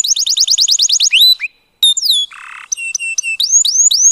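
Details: Canary song played to stimulate mating in the breeding season: a rapid rolling trill of repeated high notes, then sweeping whistles, a short silence, a buzzy burst and rising whistled phrases.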